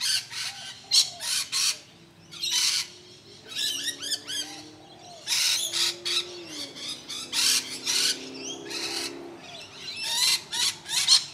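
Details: Rainbow lorikeets at Deception Bay, South East Queensland, Australia, giving harsh, shrill screeching bursts in irregular volleys over a steady low drone.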